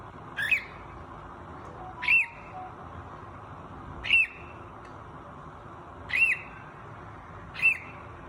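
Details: A young cockatiel that has only just started using its voice gives short, harsh rising-falling squawks, about one every two seconds; cockatiel.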